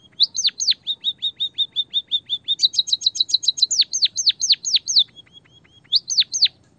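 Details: White-headed munia, or bondol haji, in a Javanese lure recording meant to make birds sing. Flat high chirps in quick succession give way to a rapid bright trill and downslurred whistles, then soft peeps and two final swoops.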